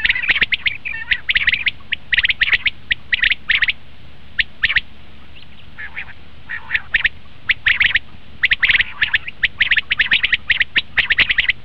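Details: Common quail calls for luring quail when hunting: dense bursts of short, high clipped notes grouped in rapid runs, with brief pauses between volleys and callers overlapping throughout.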